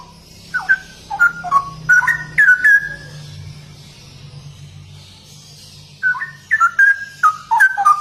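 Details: Straw-headed bulbul singing in ropel style: a quick string of clear whistled notes with downward and upward slurs, a brief lull filled by a low hum, then another lively burst of whistles.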